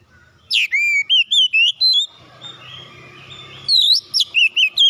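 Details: Oriental magpie-robin song used as a lure to get birds singing: loud clear whistled phrases of swooping, rising and falling notes, a pause with faint background hum, then another burst of whistles.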